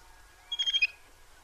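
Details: A little grebe utters a quick, high-pitched series of five pulsed notes in under half a second; otherwise only faint low rumble.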